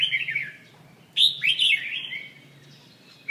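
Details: Red-whiskered bulbul from central Vietnam: a fading chirp, a pause, then one loud rich warbled phrase of bright whistled notes lasting about a second, trailing off softly.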